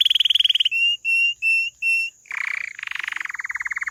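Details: Canary singing a run of fast rolled trills: a buzzy low-pitched tour, then several steady pure whistled notes, then a rapid chattering trill, with a constant high whine in the background.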